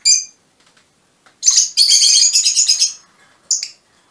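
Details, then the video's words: Mutation-colour Fischer's lovebirds calling indoors: one sharp high chirp, a pause, then a dense shrill chattering run of about a second and a half, ending with a single loud squeak. "mutación del agapornis - mutation fisher lovebirds"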